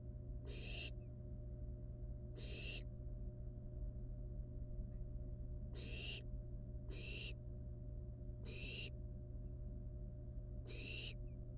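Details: Barn owl chicks in a wild nest, with a rat brought in alive, give six short harsh hisses at uneven gaps of one to two seconds against a constant low hum.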